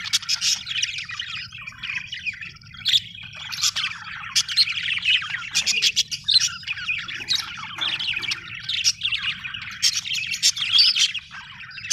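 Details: Several budgerigars, called happy, keep up a steady chatter of short squeaky chirps and warbled phrases, sharp high clicks scattered through, over a soft low hum.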